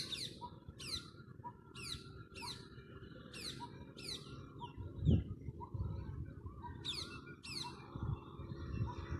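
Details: A group of parrots chirping. Intermittent high, downslurred chirps and faint lower calls are heard over a continuous low rumble, with a brief thump midway.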